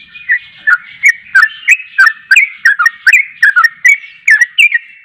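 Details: Yellow-vented bulbul (trucuk) singing energetically, a fast run of bubbly, slurred whistled notes dipping and rising, about three per second, over a constant thin background whine.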